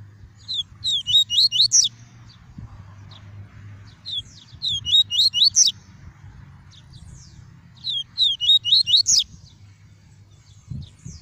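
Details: Pure 'tuí tuí' song of a double-collared seedeater, used for warming up a kept bird and teaching chicks: three phrases of fast, high, slurred whistled notes, each about two seconds, spaced by short gaps, with faint background hum.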